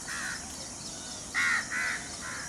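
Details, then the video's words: Indian peafowl calling in the open, a faint nasal note followed after a pause by a loud burst of three harsh, nasal calls in quick succession, fading, against soft insect hum. "Peacock Sounds"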